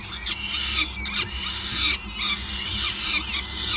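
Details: Peregrine falcons at a nest on the Gasunie building in Groningen, Netherlands, 5 May 2020, during a long feeding session; harsh, high, harmonic squealing calls overlap continuously, with short breaks and steady low background hum.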